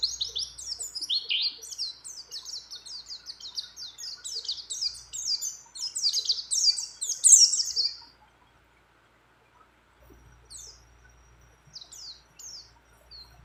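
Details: A female white-eye in breeding condition calls a male, with many other birds' phrases mixed in: a fast, high chattering song of rapid chirps builds for eight seconds, then near silence with a few faint distant twitters.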